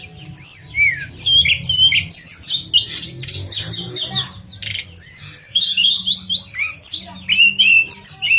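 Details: Pied fantail singing sweet, lively phrases as tutor material for contest birds: quick chirps and bright whistled notes in rapid bursts, a short dense chattering passage, then repeated slurred whistles dropping in pitch, over a faint low hum.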